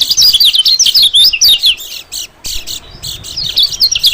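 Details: White-eye lure call for attracting small birds, above all white-eyes: fast, very high, zigzagging chirps run together in twittering bursts, with a short lull before a final rapid flurry.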